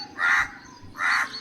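A crow gives two harsh, raspy caws about three-quarters of a second apart, each short and grating, with only faint background hiss.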